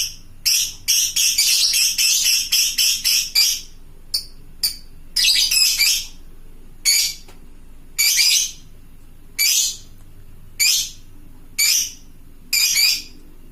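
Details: Lovebird, fighter type, calling to fellow lovebirds: a rapid volley of shrill screeches in the first seconds, then single harsh high squawks spaced about a second apart.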